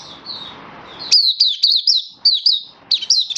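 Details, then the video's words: Oriental white-eye, a hobby songbird in happy full song on 24 February 2023: after a second of soft high notes and low room noise, a rapid series of bright, high, slurred chirps, each a quick up-down twist, in short bursts. "Mata Puteh Happy Buka Sing"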